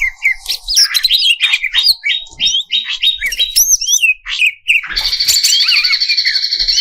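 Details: Greater green leafbird song used to provoke competition birds: rapid whistled and chattering notes, ending in a steady buzzy trill with looping whistles over it.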